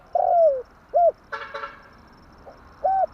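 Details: Spotted dove cooing as a lure for catching birds: a long descending coo, a short hoot, a brief rattly noise burst, then further soft coos.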